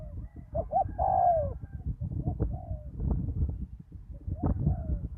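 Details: Spotted dove used as a decoy bird at a ground arena after a storm, a wild bird with a deep, well-phrased voice: two short coos, then a long drawn coo, with softer coos later over steady low rumbling background noise.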